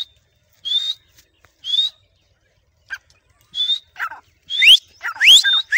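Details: Trained, tame grey francolin answering its owner's whistle: a few isolated steady whistled notes spaced about a second apart, then a quickening cluster of loud rising squeals and harsh notes at the end.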